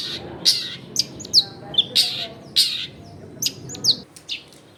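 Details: Long-tailed shrike singing, used to make silent shrikes respond, recorded in a busy residential area: scattered sharp, high clipped notes and brief slurs over steady background noise.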